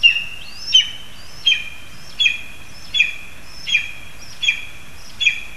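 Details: Lesser spotted eagles in spruce at Zemgale, Latvia, calling during a frog delivery for the young. Eight high yelping notes repeat about every 0.7 seconds, with two pitch lines suggesting two callers, above continuous background hiss.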